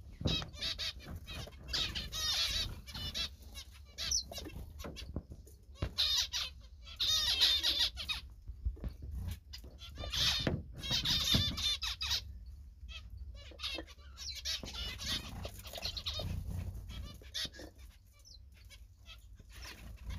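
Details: Zebra finch song made of rapid buzzy, nasal phrases in bursts of a second or two, separated by short gaps, with steady low rumbling and flapping-like rustle underneath.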